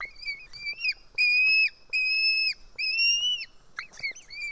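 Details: Screaming White-tailed eagle chick being fed fish by a parent at an Estonian nest, 4 July 2018, early afternoon; long, high, level whistled screams ending in a drop, repeated about once a second, with light clicks between.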